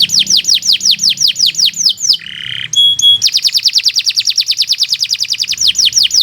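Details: Canary song meant to train other birds: rapid series of downslurred whistled notes, a brief pause with a few pure tones, then the fast sweeping series resumes.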